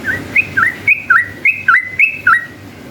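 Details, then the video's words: Yellow-vented bulbul in the long ropel style, a lure for rival bulbuls. A tight run of bubbly two-part phrases, a high flat whistle dropping into a curled lower note, repeated about five times, then quiet. "KICAU SUARA trucukan gacor ropel panjang ini efektif jadikan pancingan trucukan agar bunyi"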